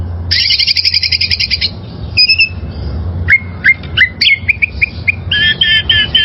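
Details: Wild oriental magpie-robin, recorded as training song for caged birds, opens with a long rattling buzzy trill, then gives thin whistles and a run of quick rising chips, closing with warbled phrases over low hum.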